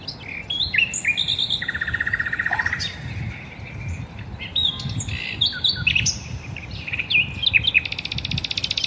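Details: Several garden birds singing at once: overlapping chirps, short whistles and slurred phrases at varied pitches, with a buzzy trill near the end.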